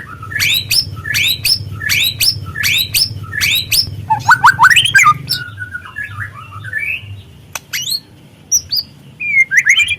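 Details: Speckled young white-rumped shama song used as a lure to provoke singing: a sharp rising whistled phrase repeated five times at even pace, then varied warbling notes and high chips, over a steady low hum.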